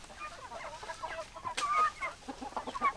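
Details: Hen and rooster flock clucking softly: low murmured clucks, a few thin whistled peeps from smaller birds, one sharp knock in the middle.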